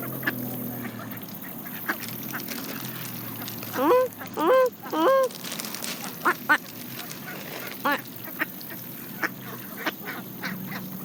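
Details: Canada geese feeding on seeds alongside mallard ducks give three loud, ringing honks close together, each rising then dropping. Scattered short quacks and soft pecking clicks follow.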